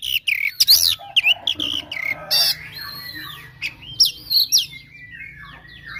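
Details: Oriental magpie-robin fighting song for baiting rivals: a few sharp chirps and rising whistles up front, then softer, longer sliding whistled notes and scattered chirps fading toward the end.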